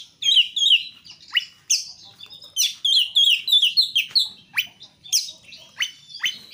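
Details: Kacer, the oriental magpie-robin, in full 'gacor' song used as a master track: quick high chirps and steep downward-sweeping whistled notes, repeated roughly every half second to second, loud and varied throughout.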